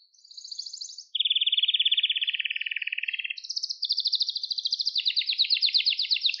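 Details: Canary song used to train young canaries: a soft high trill, then a long loud low rattling trill, followed by higher rapid trilled tours of repeated notes.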